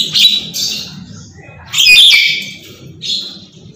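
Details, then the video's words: Talkative captive Black-capped lory screaming without pause: three harsh, noisy screeches, the middle one longest and loudest, separated by quieter gaps over a low background hum. "Burung Nuri kepala Hitam Teriak gak henti"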